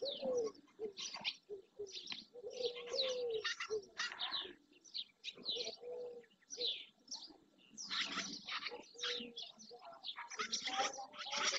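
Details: Dozens of barn swallows, juveniles among them, mass in early June at the marsh edge in Doñana National Park, Spain. Rapid high twitters and sweeping chirps repeat in waves, over scattered low, level tonal calls.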